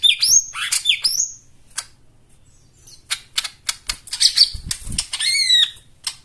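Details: White-eye 'isian' song used as therapy for birds that have stopped singing: sharp whistled slurs and chips open the phrase, then scattered clicks follow, ending in a bright stuttering trill.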